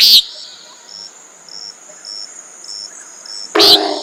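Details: Common nighthawk: two brief, rasping nasal notes about three and a half seconds apart, with soft insect-like ticking pulses and a high steady hum between them.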